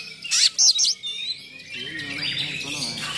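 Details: Oriental magpie-robin bursts out with harsh, high, rasping phrases, then runs on in a lower, continuous warbling song with varied notes, used to provoke rival magpie-robins and as a tutor recording; Oriental magpie-robin.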